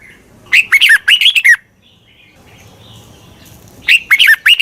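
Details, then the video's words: Red-whiskered bulbul calling to attract wild bulbuls: a one-second run of quick slurred whistled notes, silence with faint background, then a similar phrase of sharp bouncing notes at the end. "Tiếng chào mào mòi chuẩn gọi chim bỗ nhanh về"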